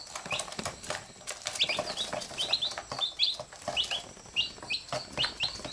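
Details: Chicks beside their mother hen, pecking at her while she picks at them in return: clear, high, slurred peeps in quick irregular series amid soft scuffling.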